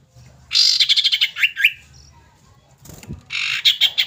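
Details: Lure recording of a female common iora calling to a male: a loud rapid rattling buzz followed by two short upslurred chirps, then a pause and another dense rattling burst.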